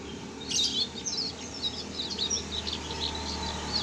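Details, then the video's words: Canary chick aged 1.5 months learning to sing, producing a rambling run of faint, high twittering and scratchy warbled notes, fairly continuous, over steady low hum. "Anakan burung kenari baru belajar bunyi umur 1.5 bulan"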